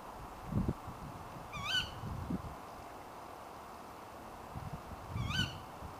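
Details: A female Tawny Owl gives two harsh, sharp screeching calls late at night, roughly three and a half seconds apart, with low thumping and handling noises underneath.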